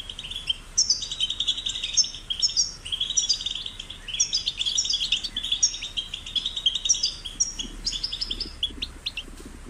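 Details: Young European goldfinches singing, a recording meant to stimulate other goldfinches to sing: long, lively twittering of sweet chirps, buzzes and quick trills, steady for nearly ten seconds against a quiet background.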